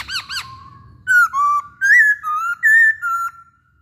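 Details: Masked laughingthrush lure song for stirring other birds to sing: two quick arched chirps, then a chain of clear alternating high and low whistled notes, each about a third of a second long.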